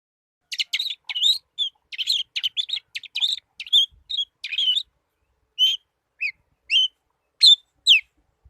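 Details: Young long-tailed shrike singing in the trotol style: rapid bursts of high, sharp chirps and twittering notes, dense at first, then spaced single whistled notes, all above clean silence.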